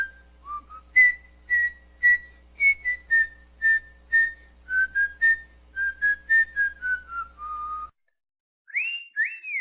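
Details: A female pet cockatiel whistles the children's tune "Atirei o pau no gato", learned in 7 days, in clear, slightly wavering notes over a low steady hum.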